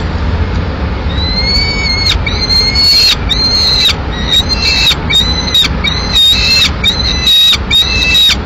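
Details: Peregrine falcon chick in a nest in Madrid, Spain, in May 2016, calling as its mother arrives with a pigeon to feed it; loud, thin, whining calls with strong harmonics, drawn out and repeated about once a second, over steady low rumble.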